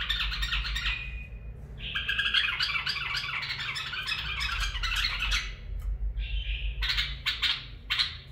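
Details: Bulbul song in the barwaz and mfaraah styles: a long, busy, gurgling warble with bright tonal notes, a brief pause, then a clear whistled note and a few clipped chirps, with a low hum beneath.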